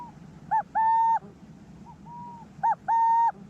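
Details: Resident male Burrowing Owl (Athene cunicularia) gives a clear, mellow two-note coo-cooo, twice in three seconds, after an alarm call. His voice is lowered and forceful as he claims his burrow and drives out an intruding male. Fainter coos and a low rumble sound behind.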